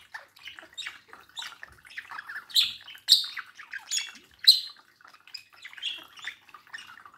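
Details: Pet budgerigars by a mirror, male and female, produce bright twittering chatter with bursts of high squeaky notes clustered between two and five seconds.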